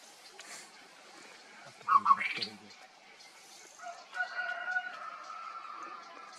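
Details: White-browed scimitar babbler (Pomatorhinus schisticeps) at Sattal, Uttarakhand, India, in January 2026, calling: a short, sharp rising burst of notes, then a steady, fluty mid-pitched tone lasting about two seconds, over quiet forest background.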